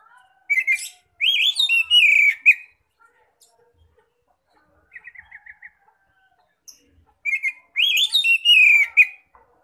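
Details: Oriental magpie-robin giving ngeplong song to attract other magpie-robins: two loud bursts of rich whistled, downslurred phrases separated by a quiet gap holding a quick series of soft repeated chips.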